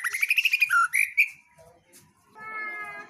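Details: Female white-rumped shama giving a rapid burst of varied song: quick chattering notes, then two richer slurred whistles, fading into quiet with a faint tonal hum at the end.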